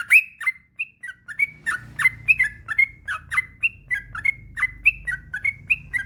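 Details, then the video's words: Long rapid 'ropel' song of a yellow-vented bulbul, meant to prompt quiet bulbuls to sing: bright whistled notes, each short and slightly rising, poured out about three per second without pause. "Suara burung trucukan gacor ropel panjang"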